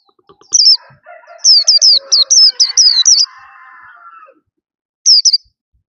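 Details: Caged white-eye, slim and glossy, singing loudly while its cage is hand-held: bright, high chattering phrases of rapid down-slurred notes, then a gap and a short final burst, with a lower drawn-out harmonic sound in the background.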